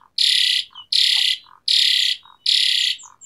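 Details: Asian pied starling in tembakan style, giving four long loud rasping blasts about a second apart, each followed by a soft low hooting note.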